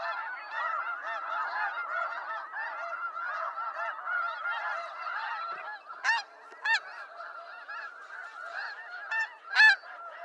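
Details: Snow geese of eastern North America in a steady honking throng, with several close birds giving sharp, emphatic yelps that cut above the crowd around six and ten seconds.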